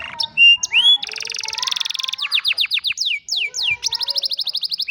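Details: Old canary singing in the afternoon: loud high whistled notes, a fast buzzy trill, then runs of repeated descending chirps and rapid trills.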